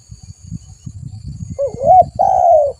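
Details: Spotted dove used as a trapping lure: after low knocking noise, a single cooing phrase, a bent note sliding up then a long, full, level coo.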